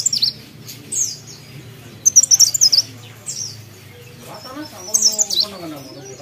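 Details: Very high, sharp twittering phrases from a mountain leaf warbler, several quick chattered bursts of slurred notes, with a faint lower tonal warble and background rumble between phrases.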